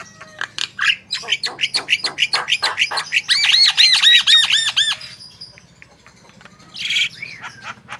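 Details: Javan myna (jalak kebo) in lively song meant to prompt other birds: a fast series of rattling clicks speeding up into a string of repeated arched squeaky notes, then silence and one final harsh squawk.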